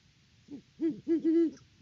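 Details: Great horned owl at the nest, Peabody, Kansas, October 2023: a soft short note, then three strong low hoots, the last one longer and steady.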